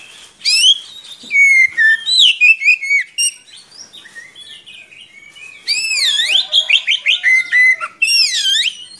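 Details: Oriental magpie-robin in long-running song meant as a model for young birds: swooping whistles and chattering bursts, a quieter gap of scratchy notes, then a loud series of wavering whistles and quick repeated notes.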